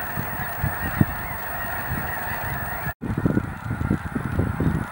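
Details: Massed honking of landing goose flocks at Cameron Prairie National Wildlife Refuge, Cameron Parish, Louisiana, a continuous blended chorus interrupted by one sudden break near the middle, with scattered low thumps growing busier afterward.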